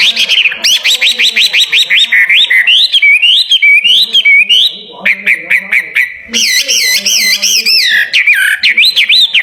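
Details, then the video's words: Caged songbird readied for a singing competition, pouring out looping whistled phrases, rapid up-and-down wavering notes and sharp chips, with a ringing doubled warble in the later seconds. "BURUNG GANTANGAN SIAP DI ADU"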